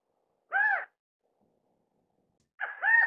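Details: California quail (Callipepla californica) feeding chicks, giving two short, nasal, arching call notes about two seconds apart, the second a little longer and doubled, in an otherwise quiet setting.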